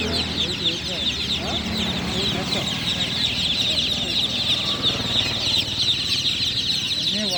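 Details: A crowd of newly hatched chicks cheeping nonstop at night, high piercing peeps layered thickly, while a man talks quietly in the background.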